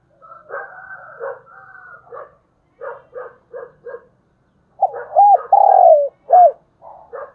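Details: Decoy spotted dove calling to lure wild doves, with the thúc bổi calling style. Soft, broken murmurs open the sequence, followed by several loud, hoarse, arching coos in a quick run near the end.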